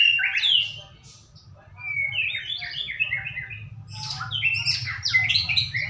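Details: White-rumped shama lure song, meant to make a shama sing: dense, fast sequences of sweet whistled and chattering notes in three bursts, with a brief lull between the first two, over a low droning hum.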